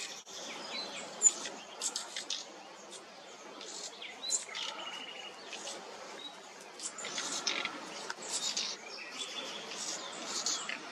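A young nightingale gives short, high, thin chirps at irregular intervals over a steady background hiss.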